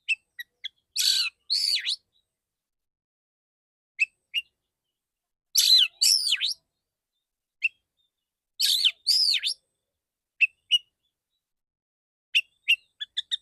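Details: Male white-rumped shama, kept as a training bird, singing clear bursts: loud harsh rasping phrases with descending whistled notes, repeated about every three to four seconds, separated by short sharp chip notes.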